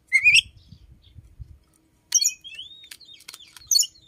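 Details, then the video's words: Oriental magpie-robin kept indoors, singing in the morning and said to include the voice of the chim sâu đầu đỏ. A brief rising chirpy burst, a quiet gap with low rumbling, then a run of high thin notes and trills. "chích chòe than hót buổi sáng"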